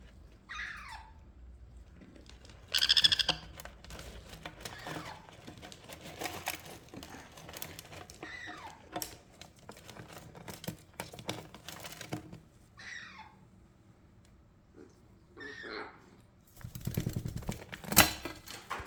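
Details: A hyperactive baby sun conure (Aratinga solstitialis), not wanting to play with a baby rose parrot, gives harsh, downward-sliding squawks at irregular intervals amid soft tapping and rustling.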